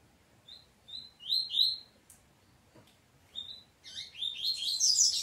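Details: Double-collared seedeater in peteteu style squabbling with family birds: scattered thin high chirps, a couple of clicks, then a crowded burst of overlapping squeaky twittering at the end.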